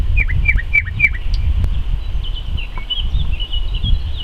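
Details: Nightingale song recorded in May 2014, opening with four rapid, descending whistled notes repeated in quick succession, then softer scattered twitters, all against heavy low-pitched wind rumble and clicking.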